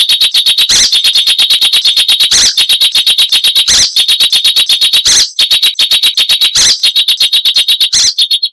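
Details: Icterine warbler song, described as loud, chattering and richly varied with mimicry of wild birds: rapid dry clicking notes with a steady high tone, repeated about three times a second, broken by brief harsh bursts.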